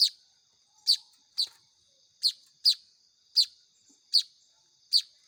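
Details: Hand-fed young weaver birds begging with short, piercing high-pitched chirps, eight in quick succession spaced about half a second apart, each clean and abrupt against a quiet background.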